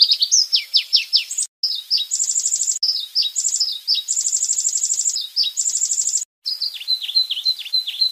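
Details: White-rumped shama singing for cage-bird training: descending swooping whistles, then repeated cycles of a short chirpy phrase and a very high rapid trill, with brief silent breaks, ending in falling slurred notes.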